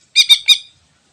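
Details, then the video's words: Wild greater green leafbird, recorded for use as a lure: three quick harsh, buzzy squawking notes in rapid succession, then silence. "Suara Asli Cucak Ijo Alam Liar Cocok Buat Pikat"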